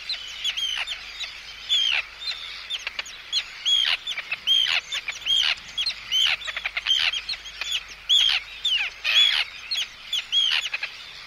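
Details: Close-up Arctic tern calling in anxiety and threat at an intruder, a steady run of sharp, rasping, high kee-arr notes repeated about once a second, interspersed with short ticking sounds.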